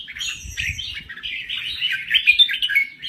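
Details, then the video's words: A kept red-whiskered bulbul from Thailand delivers an unbroken stream of fast chattering, twittering notes, with faint low rumbling underneath. "Kicau Burung Merbah Jambul Gacor"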